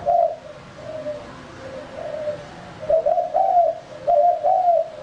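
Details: Male spotted dove used as a lure bird: quiet, drawn-out cooing at first, building to louder paired, slightly rising coos in the latter half.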